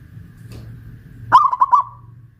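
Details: West Javan local Pajajaran zebra dove, caged on a raised hoist in Kuningan, sings a single loud rolling coo: a sharp start then a few stuttering pulses fading out, with a steady low hum behind.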